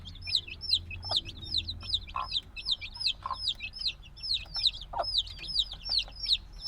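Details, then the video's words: Peeping from a group of noisy black chicks hatched just days earlier: loud, high, falling cheeps repeated rapidly and overlapping, with a few soft thuds or taps and faint low hum. "Baby Chicken Sounds - Baby Chicken Chirping Noises"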